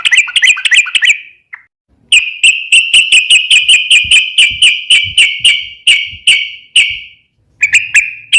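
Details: Sooty-headed bulbul giving continuous, fighting-style rapid-fire song meant to train another bird to sing back: a few quick chirps, a pause, then a steady chain of sharp, evenly spaced clicking notes at a high, level pitch.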